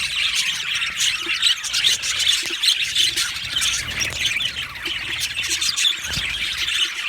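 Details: Happy budgerigars chatter in a colony aviary, a thick wash of high warbling and squawky chirps with occasional short, louder, harsh calls standing out.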